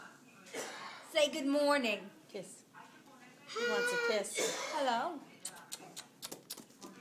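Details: Eclectus parrot talking indoors, speaking two drawn-out, bleating phrases in a raspy voice, followed by soft clicking sounds in a small room.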